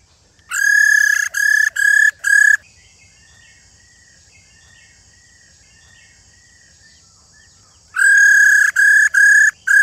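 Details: A wild female laughingthrush, whose call is used to stir male laughingthrushes to sing, gives bursts of four loud, even, nasal whistled notes, then a pause filled with soft distant chirps before another burst.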